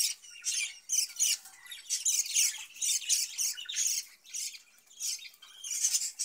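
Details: Budgerigars in a breeding cage warble steadily in a bright, high, chattering chorus. Rapid squeaky chirps and buzzy notes pulse in waves, with no break across the whole stretch.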